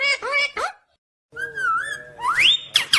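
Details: Indian ringneck green parrot talking in speech-like bursts: choppy syllables, a short pause, then a sustained wavering whistled tone that sweeps sharply upward into shrill, high notes at the end.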